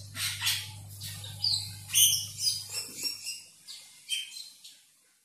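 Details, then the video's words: An Asian glossy starling calls to a rival with scratchy chirps and harsh notes in uneven bursts, fading out toward the end, accompanied by a low hum. "Cucak Keling memanggil lawan CK"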